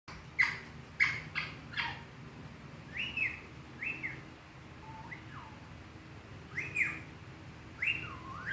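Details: Parrot giving a series of short whistled notes, some falling sharply and others rising then dipping, spaced about a second apart, over low background hum.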